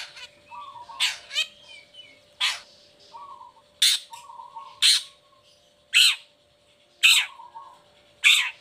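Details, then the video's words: Long-tailed shrike in full song after its cage cover is opened, used to prompt lazy or moulting shrikes. Loud harsh rasping notes come about once a second, with low buzzy trills between them, over an electrical hum. "Cendet Gacor Buka Krodong Pancingan Khusus Buat Cendet Loyo Malas Atau Lagi Mabung Agar tetap Bunyi"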